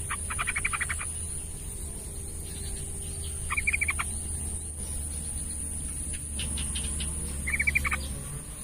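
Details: Yellow-vented bulbul, played to stir a quiet bird into song: several bursts of rapid, chattering notes spread through the clip, some fainter, with an electronic high tone and low rumbling background throughout.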